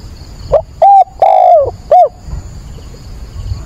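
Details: Decoy spotted dove at dawn, 22 October, calling to provoke and train freshly caught doves: one loud cooing phrase of four notes, the third long and sliding downward, the last short and clipped, with a steady faint high-pitched whine behind.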